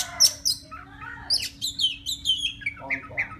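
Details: Wild Oriental magpie-robin singing to a female, mixing high piercing notes with lower whistled slurs and a rhythmic run of short chirps, a steady low hum in the background.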